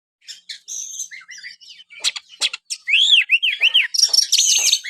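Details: White-rumped shama, a kept songbird, singing a varied song of sharp clicks, whistled rising and falling notes and bright trilled phrases, loudness building toward the end.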